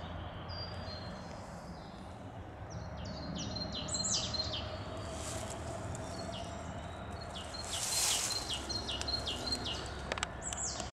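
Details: Marsh tit singing in a forest near Ede in the Netherlands; rapid runs of short, high, downward-sliding notes repeated in bursts, with a faint distant hum and a brief rustle partway through.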